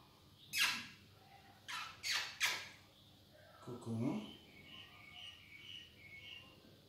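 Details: A pet green-winged macaw gives four harsh, raspy squawks in the first three seconds, then a person's voice calls it by name, with faint high chirps in the background.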